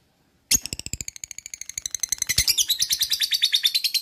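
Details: Lovebird ngekek from a training recording meant to encourage other lovebirds to sing: after half a second of quiet, a sudden run of sharp, rapid chattering notes starts and becomes louder and denser as it goes on.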